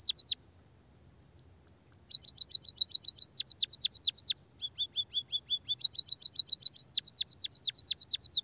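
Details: Long, canary-like rolling song of a white-headed munia: near-continuous rapid series of bright, high chirps, some clipped and flat, others plunging downward, repeated in tight trains with only brief gaps.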